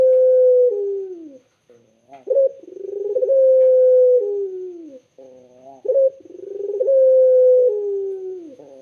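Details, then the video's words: Island collared dove singing a clear, melodious coo: long level notes that step down and fade, broken by brief rising hiccups. The phrases run almost back to back. "BURUNG PUTER SUARA JERNIH DAN SYAHDU"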